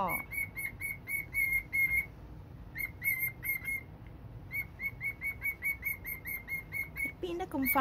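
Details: Old pet cockatiel singing to a box it both loves and hates, October 2, 2021: runs of short whistled notes on one pitch, repeated quickly, a pause, more runs, then lower sliding squawks at the end.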